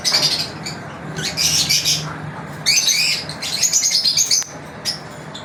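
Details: Lovebirds kept as pets, daily routine: loud, harsh, high-pitched chattering squawks in bursts of about a second, separated by brief pauses, over a faint constant hum.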